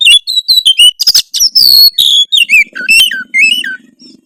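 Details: Oriental magpie-robin giving a harsh song meant to provoke rivals: loud, varied whistled phrases sliding up and down, with quick sharp notes and a low rattling buzz underneath in the second half.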